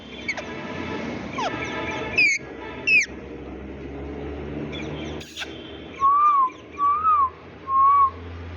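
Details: Green Indian ringneck parakeet, a pet bird said to sound like a human: two sharp, high descending calls, then three soft whistled notes that rise and fall, over a steady low hum and some background noise.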